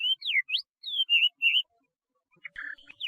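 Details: Chinese hwamei producing brief swooping whistles and slurred notes, ending with a softer burst of chattering notes.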